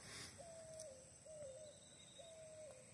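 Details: At dawn, around 5:30, in the countryside where doves come to roost in a tamarind tree, a dove gives three soft, hollow coos, each holding level then dipping at the end, roughly one per second, over a thin steady hiss.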